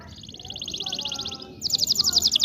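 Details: Canary trilling for training young canaries: a soft fast trill of high notes, then a louder, quicker rolling phrase; faint background noise throughout.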